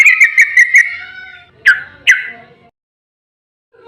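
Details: Yellow-vented bulbul in energetic ropel style meant to make other bulbuls sing back: quick burst of four clipped chirps, then two sharp downslurred whistles, followed by silence.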